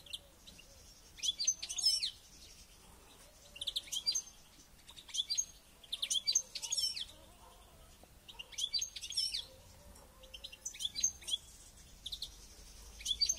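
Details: Caged European goldfinch in training before a local goldfinch championship, singing bursts of high twittering, tinkling notes in phrases about every two seconds, with quiet background hum between phrases.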